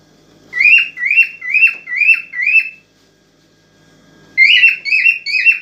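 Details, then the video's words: A cockatiel in an excited state whistles to urge a female toward mating: a run of five bright, slurred notes, a pause of over a second, then three more similar notes. "اجمل واقوى تغريد كوكتيل هائج لنحفيز الانثى على التزاوج"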